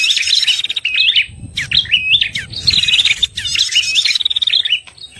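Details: {'t': 'Red-headed prinia trapping lure: grouped high chirps and jerky stepped notes in dense bursts, with low rumbling noise underneath in the middle.'}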